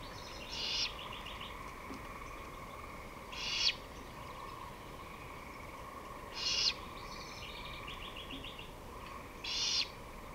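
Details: Great horned owl on 23 May 2018, late afternoon at 5:53 pm: four raspy, hissing screech bursts spaced about three seconds apart, each under half a second, over soft bird twitters and a constant background hum.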